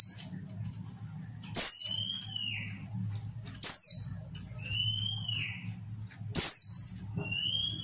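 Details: Female mountain white-eye call meant to stir males to sing: three piercing high chips that fall steeply, each trailed by a long, slightly arching thin whistle, with faint short high notes between them and a soft low hum underneath.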